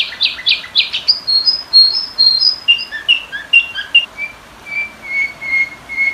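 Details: Sooty-headed bulbul lure song for training: opens with a cluster of harsh stuttering chirps, shifts to varied whistled notes jumping up and down, and ends with steady, level short whistles repeated about twice a second.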